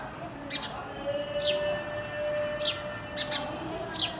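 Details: Indian house sparrow (Passer domesticus indicus), a common breeding resident near Indian homes, calling in crisp descending chirps, some doubled, about six in four seconds, above a steady low-pitched drone.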